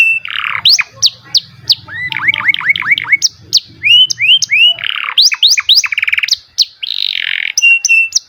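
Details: Canary song: a varied, lively mix of clear whistled up-slurs, quick repeated chips and short rolling trills, delivered in bursts with brief pauses, fairly bright and high.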